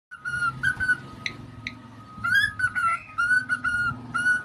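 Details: Pet cockatiel, young, whistling indoors: a series of clear tonal whistles with bright harmonics, some rising and falling, in short phrases separated by brief pauses, over a steady faint hum.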